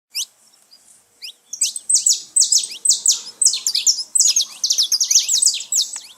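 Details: Saffron finches free in nature, a lively gathering: a few isolated thin rising notes, then dense overlapping bursts of high, bright chirps and trills from several birds, fast and continuous to the end.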